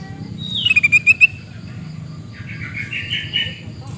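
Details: Sooty-headed bulbul calling in Reului, Busu Reului, Mutiara, Pidie, Aceh: a quick burst of bright, sharp chirps that slide downward, then a softer warbled phrase a moment later, over a low background hum.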